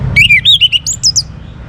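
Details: A young Orange-headed thrush sings a quick run of six or seven sweet, slurred whistled phrases, climbing from mid to high pitch in under two seconds.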